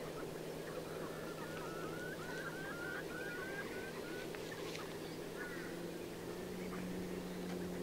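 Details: An Eastern (Far Eastern) curlew at Toorbul Shorebird Sanctuary as the tide comes in gives a run of wavering, bubbling whistled notes for a few seconds, then one more brief call, over a steady low engine hum.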